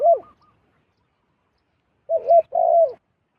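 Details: Zebra dove, wild, coming to a decoy: a single arched note, then after a pause a phrase of two short wavering notes and a longer rolling trill at the same mid pitch.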